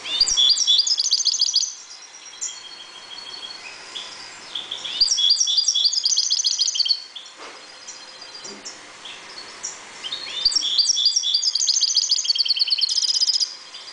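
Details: Caged European goldfinches, calm and breeding in a 1.20 m cage, deliver three bursts of fast tinkling, buzzy twittering song. Each burst lasts about two seconds and is separated by quieter pauses with soft notes.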